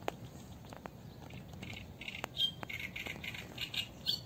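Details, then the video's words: Eurasian reed warbler recorded live at the Sarno River, song and call: a fairly quiet, steady run of scratchy, chattering notes in short repeated bursts, with a few sharp clicks and light background noise. "Cannaiola canto richiamo"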